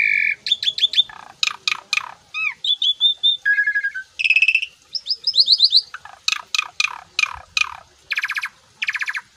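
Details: Asian pied starling singing in full voice, puffing itself up: a varied run of loud harsh rasping bursts, ringing whistled notes and clicky trills, each phrase under a second, separated by short gaps, no other sounds.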